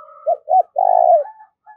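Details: Decoy spotted dove cooing to attract wild doves. Two short, bent coo notes are followed by a long, vibrating, burry note that drops at the end. Clear and close, with the faint ends of other coos.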